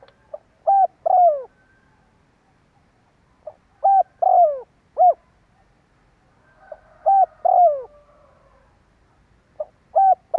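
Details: Spotted dove cooing in the kích bổi lure style, about three phrases in ten seconds, each a soft pip, an arched coo, a drawn-out falling croo and a closing coo. A faint background murmur is heard between phrases.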